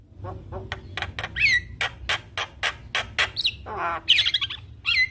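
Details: Javan myna singing with varied fill-in phrases: coarse rasping notes in an uneven series, a curling whistle, then a noisy squawking burst and more whistled slurs, over a faint hum.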